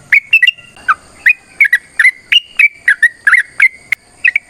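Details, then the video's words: Long fighting song of a sooty-headed bulbul used to coax other birds into singing, a quick run of loud clear whistled notes, some bending downward, others flat, delivered almost continuously with brief gaps. "TRUCUKAN GACOR TARUNG ROPEL PANJANG"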